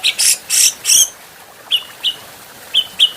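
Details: Adult Grey-cheeked bulbul training recording: three loud, rasping, buzzy notes in quick succession, then a few spaced, sharp high chirps.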